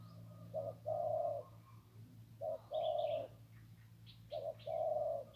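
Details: Wild zebra dove beside the Ping River sings a one-kuk crow: a brief low note followed by a sustained vibrating coo, three phrases spaced about two seconds apart. Faint higher chirping from other birds in the background.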